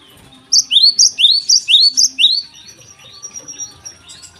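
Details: Morning song of a Java sparrow, used as a lure for untrained birds: a fast run of about five paired notes, each a rising sweep then a higher bright chip, about two pairs per second, followed by faint chatter and a thin whistle.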